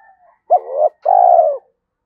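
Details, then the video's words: Spotted dove in the 'thổ' singing style, with a challenging 'thúc đấu' voice used for trapping in the forest. A single low phrase: a brief rising coo followed by a longer, steady, slightly falling coo. "cu gáy giọng thổ Thúc Đấu giọng hợp rừng khi đi gài"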